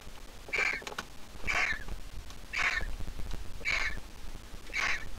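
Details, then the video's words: A grown-up griffon vulture nestling in the nest gives five short, raspy squeaks, about one per second, over a steady low rumble of wind. "The Griffon Vulture nestling is all grown up but still a squeaker."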